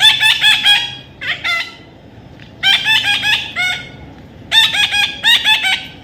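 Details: Young parrot squawking in rapid bursts of rasping, harmonic-rich notes. Several clusters of four or five notes are separated by brief pauses.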